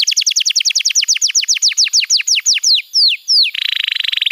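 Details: Canary training song for young birds: a fast, steady series of high, sharply descending whistled notes that slows toward the end, followed by a rapid, buzzy rattling trill.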